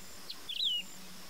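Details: Wedge-tailed grass-finch song: a faint high note, then a bright whistled phrase sliding downward, under one second long, over a steady low hum.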